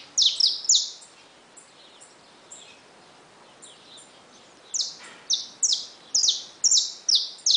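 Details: Saffron finches kept in a cage with newly hatched chicks give clipped, high, down-slurred chirps in quick pairs, then pause, then resume with a steady series of about eight loud descending notes.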